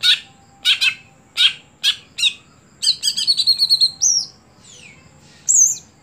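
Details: Caged greater green leafbird (cucak hijau), a contest songbird that has stopped performing at competitions, sings harsh buzzy bursts, then a fast trill of clear ringing whistles and a few sweeping, downslurred high notes.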